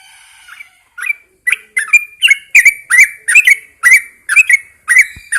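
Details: Early-morning song of a captive Yellow-vented Bulbul set outside for fresh air, starting with soft scattered notes and building into quick, repeated bubbly chirps roughly twice a second.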